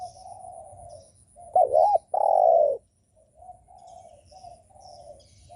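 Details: Spotted dove cooing to provoke other doves: a loud looping two-part note and long falling coo stand out among several softer, distant doves answering with short level coos.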